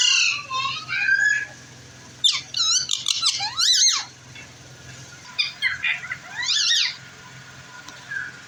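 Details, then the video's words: Pet green rose-ringed parakeet in Pakistan, kept as a talking bird, giving shrill squeaky rising-and-falling calls in several short bursts, with a steady low hum in the room. "Green Ring neck talking parrot say mittu"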